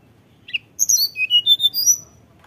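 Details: Tledekan gunung in flute-like song, played as a lure to get other birds singing: one short chip, then a rapid string of clear high whistles shifting up and down in pitch, with little background sound.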